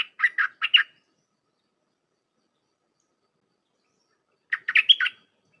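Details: Dense Dok Taeng style phrases from a red-whiskered bulbul, used to teach hand-fed and wild-caught young; a quick chirping run, a silent gap of several seconds, then a second phrase with a whistled upward slide.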